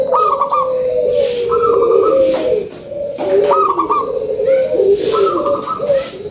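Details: Zebra dove, local type, singing a lure song: crisp high notes followed by a sliding, rolling coo, repeated roughly every one and a half seconds, with background clatter.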